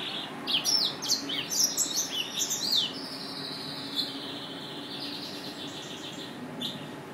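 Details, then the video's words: Yelloweye finch calling with bursts of high, sharp chirps and quick tweets in the first few seconds, then softer, fainter twittering trailing off over a quiet hiss. "Yelloweye finch"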